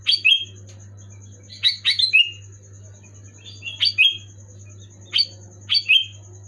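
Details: Loud, clear Sooty-headed bulbul song used to prompt a reluctant caged bulbul into singing: clipped whistled phrases of two or three falling notes, given in irregular bursts with short pauses, a constant low hum and faint high whine behind.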